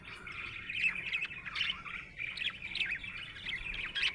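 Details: Happy budgerigar kept as a pet, chirping in a busy run of short squeaky notes, chattering trills and quick clicks, repeated without pause over a few seconds.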